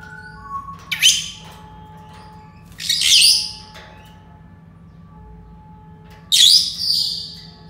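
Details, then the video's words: Harsh, high Senegal parrot calls in three spaced groups, the middle and last ones longer and fuller, with short softer chirps between; steady low hum in the background. "Senegal parrots sounds تصفير جميل و محفز لببغاء اليويو السنغالي"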